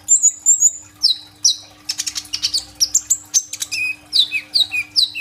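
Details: Sunbird, called kolibri ninja, singing with 'tembakan' bursts on an Oppo A37f phone recording: high repeated whistles, then a quick volley of sharp chips and a series of descending slurred notes.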